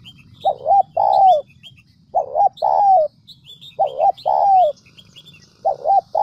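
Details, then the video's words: Central Highlands decoy spotted dove, Vietnam, repeating a cooing phrase of a quick doubled note and a drawn-out descending coo, four times in about six seconds, with small birds twittering higher up. "Chim Cu gáy mồi đỉnh tây nguyên"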